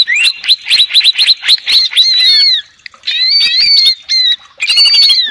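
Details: Lure song of a greater green leafbird, meant to provoke rivals: a fast run of about ten chopped whistled notes, then longer bright warbling phrases with slurred rises and falls, separated by short silences.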